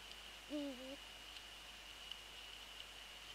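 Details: Night-time prey transfer by Eurasian eagle-owls close to the nest in January 2014: one short, harsh, bent call rising at its end, followed by quiet with a steady high tone and faint ticks.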